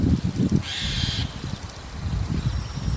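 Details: A White-cheeked Starling calling repeatedly on a rooftop in the evening gives one harsh, rasping call about half a second long over a steady low rumble, possibly running water or distant traffic.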